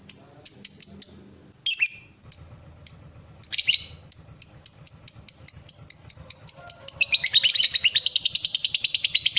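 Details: Lovebird prompt recording meant to get other lovebirds singing long ngekek trills: sharp high chirps repeated at roughly half-second intervals, then a rapid, sustained chattering trill building over the last three seconds.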